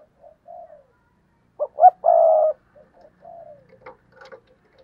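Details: Spotted dove calling as a lure bird, with a loud three-part coo (two quick notes and a drawn-out burry tone) among softer, quieter coos and faint chirps before and after.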